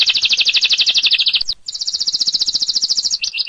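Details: Lovebird 'ngekek' chatter from a master recording for singing contests: two long, fast, high rattling trills separated by a short gap, the second trailing into a downward slur.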